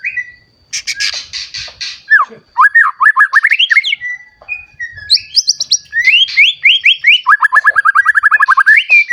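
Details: Newly matured white-rumped shama singing to spur other shamas into song: a harsh buzzy burst, then long runs of rapidly repeated rising whistled notes in fast rhythmic series, varied in pitch, loud and continuous.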